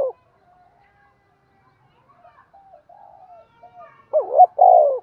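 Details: Decoy spotted dove calling to lure wild birds in. Faint, soft cooing murmurs, then one loud, hoarse coo phrase at the end: a wavering note, then a longer, deep purr.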